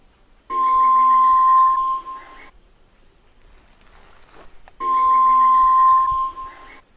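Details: White-throated Tinamou (Tinamus guttatus, Inhambu Galinha) song: two long, pure, steady whistles of about one and a half seconds each, about three seconds apart, over a faint high electronic hum.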